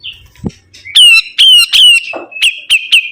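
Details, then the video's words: Vigorously singing sibuntung bird giving loud, sharp chirps in quick succession, each a bright note with a slight downward slide, interrupted by a short thud and a soft rustle. "BURUNG SIBUNTUNG GACOR"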